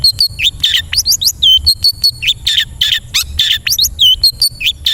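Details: Long-tailed shrike (cendet) song meant to train caged birds to sing: a lively jumble of high chirps, twisting whistles and buzzy snatches, packed closely with barely any pause.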